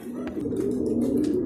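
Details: Racing pigeons coo after returning from their second truck training in Guiguinto, Bulacan, landing in small groups; a brief burst of low, throaty, continuous cooing with faint clicks.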